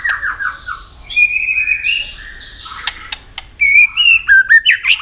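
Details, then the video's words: White-rumped shama in competitive singing: a falling run of whistled notes and a buzzy, sustained strain, then a few clicks and a quick series of clear, rising whistles. "chòe lửa hót đấu đập đuôi căng lửa"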